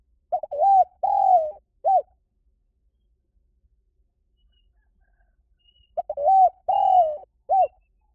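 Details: Spotted dove call used as a lure for birds: two low cooing phrases, each a brief soft note, then a long wavering coo, a long coo falling at the end, and a short closing coo, separated by about four seconds of quiet.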